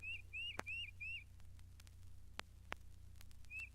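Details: A Tufted Titmouse in the Mountain Lake Sanctuary, Lake Wales, Florida, sings a quick run of four clear, slurred whistles, then one more after a pause, over a low steady hum and a few sharp clicks.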